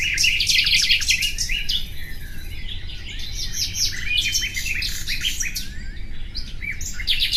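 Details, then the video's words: Common nightingale singing dense bursts of chirps, sharp downslurred notes and quick trills with brief pauses between phrases, over a low constant background hum. "Bülbül sesi"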